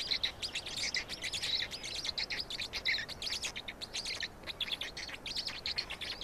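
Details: Black stork chicks begging during a feeding in Estonia, 16 May 2019, late afternoon: continuous scratchy, squeaky chatter in quick stuttering pulses, hardly pausing.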